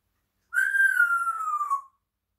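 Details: African grey parrot chatting in the morning, heard as a single clear whistled note lasting over a second, slightly rising then slowly falling in pitch, in quiet surroundings.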